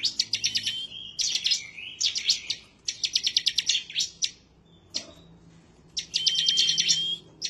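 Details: Bar-winged prinia in vigorous, bursting song, said to be seeking a rival and useful for prompting other birds to sing quickly. Several rapid tick-rattles run in succession, then a pause, then a phrase ending in a long flat whistle.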